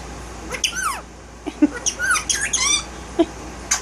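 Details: A one-year-old violet male Indian ringneck parakeet, kept as a pet and missing its tail, vocalizing indoors; a rapid run of squawks and slurred whistles with rich harmonics, several falling in pitch, packed closely together.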